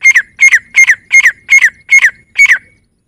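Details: Male grey francolin in a rapid calling series, seven loud, shrill two-part notes in about three seconds, each a high whistled note sliding down into a rasping slur, repeated at a steady brisk pace over a quiet background.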